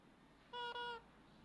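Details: Parrot imitating sounds to call the cat: one steady, flat, whistle-like tone of about half a second with a brief dip in the middle, over quiet indoor background.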